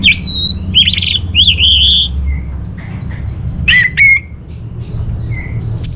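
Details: Orange-headed thrush singing, recorded in Bali as master song for caged birds: squeaky slurred notes and sustained whistles, mimicking chatter, with quieter faint phrases between and a low hum.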